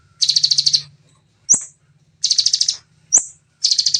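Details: Fast, clean 'nembak' shooting song of a Bar-winged prinia, natural voice: dense rattling trills alternate with lone sharp upward-flicked high notes, roughly every second and a half, over a soft low background hum.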